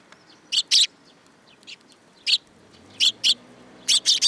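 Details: Close, loud chirps from young sparrows perched on a hand at a Tenmangu shrine, Japan, 2 July 2022, mostly in pairs, with a quick triple burst at the end.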